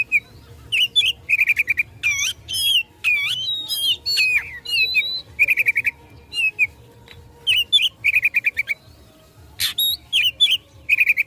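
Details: Oriental magpie-robin in fighting song aimed at provoking rivals, delivering bright whistles, repeated rapid trills of short notes, sweeping slurs and harsh buzzy bursts, phrases separated by brief pauses.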